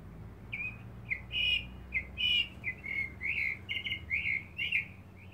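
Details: A male mockingbird sings in a back yard while seeking a mate, delivering a chain of bright chirpy notes, each slightly different, about two per second, with a faint low hum underneath.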